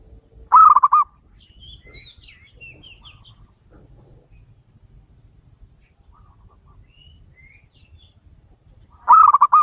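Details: Zebra dove song from a local male, meant for luring wild birds: one rapid rolling coo of several clipped notes opens, then nearly nine seconds of quiet with faint chirping from other birds before the phrase returns.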